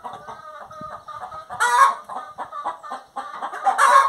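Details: Hen singing, a run of soft clucks and cackling notes rising into loud, harsh bursts near the middle and the end.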